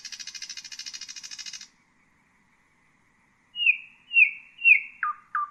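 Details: A common nightingale delivers a rapid high rattling trill, falls silent for about two seconds, then gives slow, loud, downward-sweeping whistled notes, the last two pitched lower.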